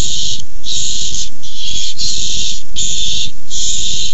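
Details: Harsh, breathy barn owl screeches during a squabble over a tiny mouse on 6-4-15. Six rasping bursts of half a second to a second follow one another with brief gaps over a constant low background hum.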